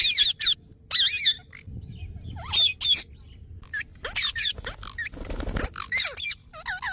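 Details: Ringneck parrot vocalising: shrill wavering screeches in short clusters, separated by pauses with soft low rumble and a brief burst of noise near the end.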